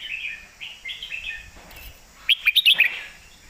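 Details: Red-whiskered bulbul 'master song': soft warbling at first, then a loud, rapid string of five bright, bouncing whistled notes toward the end.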